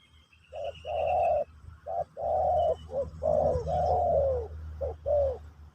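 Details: Spotted dove singing in the Pesom/Kacuk style, used to teach a new bird: a series of low, hollow coos, some short and some drawn out, in bursts across the recording, over a steady low hum and a faint thin high tone.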